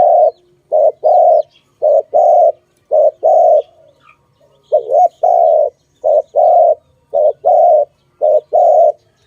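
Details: A dove used in bird trapping gives low, hollow coos in quick short groups of two or three, repeated steadily for several seconds, with faint chirps from other birds behind.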